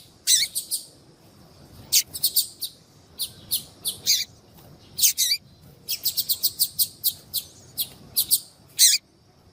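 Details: Calling female yellow-bellied seedeater, used to excite males for singing. Piercing high chirps in clusters of two to four, some with a downward tail, then a fast burst of closely spaced notes near the end.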